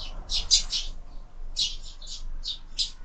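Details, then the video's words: Sparrows fighting over a window feeder used for year-round feeding; two quick bursts of sharp, scratchy chirps separated by a brief pause. "Воробьи в кормушке - драки, драки"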